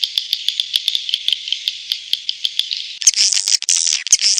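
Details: Swiftlet calls: a continuous fast train of ticking chirps for three seconds, followed by harsh buzzy hissing bursts.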